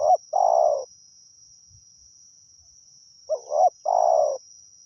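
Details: Wild spotted dove cooing during decoy luring in Thailand. The song is soft and low: a clipped note, then a drawn-out coo, and after a pause of about two and a half seconds a double note with another long coo. A high steady whine continues throughout.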